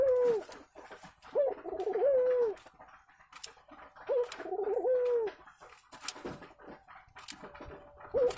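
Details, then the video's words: A pair of local Barbary doves court inside their nest, a sign of coming egg-laying, giving soft low coos in short rolling phrases every few seconds, with light clicks and rustling between. "Ciri-Ciri Burung Puter akan Bertelur - Bercumbu di dalam Sarang"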